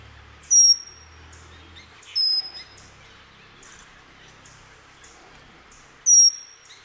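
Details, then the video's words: Pygmy wren-babbler (pygmy cupwing) at Sattal sings thin, very high whistled notes, each slightly falling, spaced a couple of seconds apart, with faint high chirps from other birds behind. "Pygmy wren babbler"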